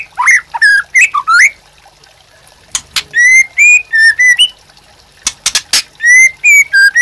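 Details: White-rumped shama singing as a master and prompting song. Varied whistled phrases of rising and level notes, broken by sharp loud clicking strokes and short silent gaps.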